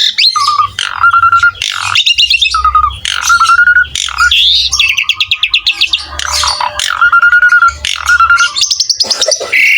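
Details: Asian pied starling gacor song for training young birds: repeated level whistles alternating with grating chatter, rapid stuttering trills and falling slurs, a high buzzy phrase near the end, faint low hum.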